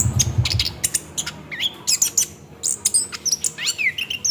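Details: Orange-headed thrush song used as a lure to make the bird sing, rolling style: rapid varied whistles, sharp chips and down-slurred notes in quick bursts, with a low rumble at the start.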